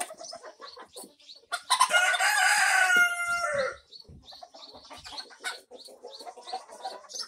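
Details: Mixed flock of barn chickens of many breeds, recorded in May: a loud rooster crow lasting about two seconds stands out over steady clucking and murmuring from hens throughout.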